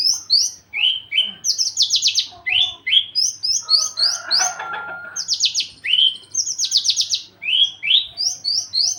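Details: Javan bush lark eager to mate, quivering its wings, raising its crest and becoming aggressive; a fast medley of high chirps, buzzy rattling trills and rising slurs, with a brief lower mixed-sound burst mid-song.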